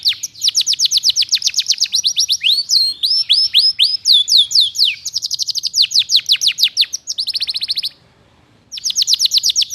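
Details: A lively canary song recorded as tutor material for magpie-robins. It has long runs of rapid, sharply falling high notes, a rolling buzzy trill near the end, a short pause, then the fast sweeping notes start again.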